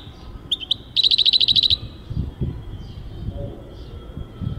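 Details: European goldfinch singing in 2023: a couple of quick introductory chips, then a rapid, evenly spaced run of about a dozen bright, ringing notes, followed by quieter background rumble.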